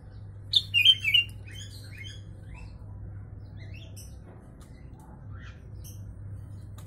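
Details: Sooty-headed bulbul singing with phrases learned from the Javan myna, used as a tutor recording for mynas and bulbuls: three to four loud, sharp, descending notes in a quick burst, then scattered soft chirps over a steady low hum.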